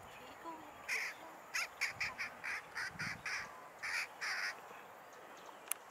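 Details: First-winter Daurian jackdaw (Corvus dauuricus) in Hong Kong, 2 December 2023: a quick, irregular run of about a dozen short, harsh 'chack' notes over four seconds, against a faint background hiss.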